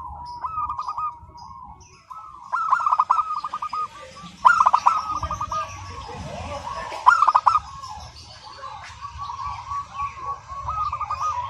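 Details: Local zebra dove singing without a break: rapid, wavering cooing trills in long runs, several loud emphatic bursts, and a few fainter high calls from other birds in the background.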